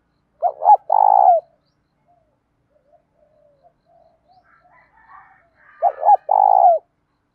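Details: Cooing of a trained spotted dove, kept to stir other doves into calling: two low phrases about five seconds apart, each short notes followed by a drawn-out rolling coo, with soft faint sounds in between.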